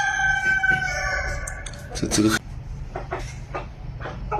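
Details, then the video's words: Village chicken finishing a drawn-out crow, then a burst of sharp clucks and a few softer clucking notes, with faint low hum and possible voices in the background. "Hen sound effect | hen sound video effect in village"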